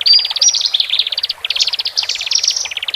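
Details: Male and female Horsfield's bush larks, sung to help freshly separated caged birds relax: rapid pulsed trills with brief thin whistles, in uneven bursts about a second long.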